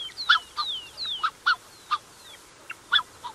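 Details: Black-necked Swan pair with cygnets heard up close, short honks alternating with falling high whistles, the honks spaced roughly every quarter to half second.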